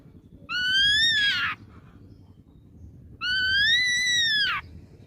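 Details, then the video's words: Two long, clear, arched whistles from a young wild-caught ashy drongo, each rising slightly then falling at the end, about three seconds apart over a quiet background. "KICAU GACOR BAWAAN MUDA HUTAN SRIGUNTING ABU ABU."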